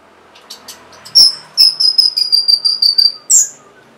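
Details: Song of an orange-headed thrush, used to coax silent or lazy caged birds into song. A sharp note, then a fast even series of about eight high ringing whistles, ending in a louder slurred note.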